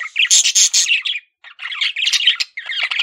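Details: A male budgerigar kept as a pet gives short bursts of loud, scratchy squawks and chirps, pausing briefly between two runs.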